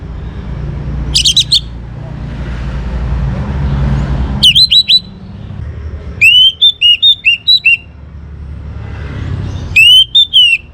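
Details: Young caged orange-headed thrush in northern Bali sings in four separate bursts of bright, looping whistles and quick slurred notes, each burst a second or so long, with low background hum between.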